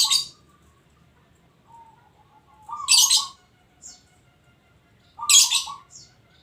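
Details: Local zebra dove cooing in rippling phrases roughly every two to three seconds, overlapped by loud, harsh, high-pitched chirping bursts from nearby birds.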